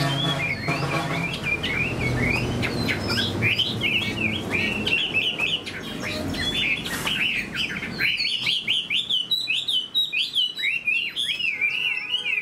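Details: Caged Chinese hwamei with a fanned tail, a fighting bird, whose song starts under loud low background noise, then carries on clearly as fast rolling whistles and sharp up-and-down slurs.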